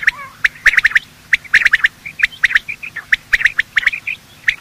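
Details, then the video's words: Male and female quail morning sounds for hunting: crisp, high clipped whistles repeated in quick doublets and triplets, mixed with short flat chirps, the rhythm busy and irregular. "Quail calling sound: master the Art of Quail tripping | Bater Awaz Subha"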